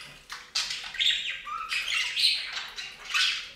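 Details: Budgerigars at a bath fountain chatter in rapid, raspy warbles and squeaks, mostly high-pitched, with short sharp onsets and a brief lower tone in the middle.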